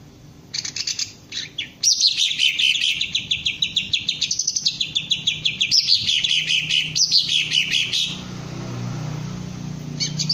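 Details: Green leafbird being trained to raise its crest and sing. A loud, fast run of bright whistled and chattering notes sweeps down in repeated phrases, then stops, leaving a low background hum.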